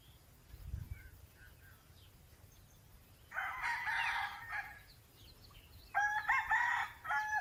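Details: Red Junglefowl, a wild chicken, perched in trees in natural forest. It gives two distant, noisy crows, each over a second long and a few seconds apart, against soft forest ambience and faint bird notes.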